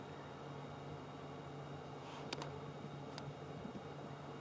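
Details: A low steady engine or fan hum with a few faint sharp clicks, and no animal voices.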